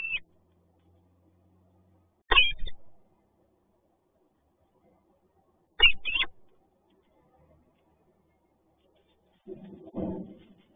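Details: Peregrine falcons at a nest box in Toruń, Poland, on 21 March 2022: the incubating male is startled when the female lands on the railing, and they briefly trade 'ciok-ciok' calls. Two short, harsh calls come about three and a half seconds apart, with a low rustle near the end.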